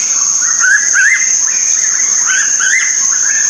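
Green magpie gives clear, warbling whistled phrases that rise and fall, repeated through the clip over a steady high insect drone.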